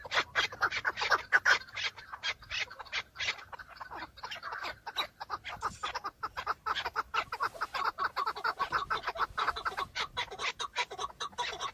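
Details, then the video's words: Male chukar partridges in a breeding-season fight, displaying to females, recorded from a car: a dense, continuous stream of sharp chuck notes from several birds, fast and irregular, barely pausing across the whole stretch. "شەڕە کەو - دەنگی کەو -معرکة بين الطيور حجل - کبک - صوت حجل - Chukar partridge fighting -Chukar call"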